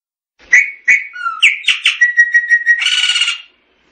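A Chopi blackbird sings a loud phrase: two sharp chips, a low whistle, a quick run of liquid notes, a long steady whistle, then a harsh buzzy finish.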